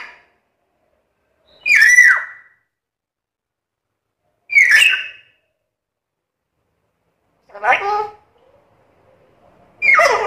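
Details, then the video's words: Black-capped lory, said to talk and be very noisy, making four spaced calls: sharp whistled squeaks and one lower, rougher note, each separated by nearly three seconds of quiet. "BURUNG NURI KEPALA HITAM GACOR BISA NGOMONG SUPER CEREWET"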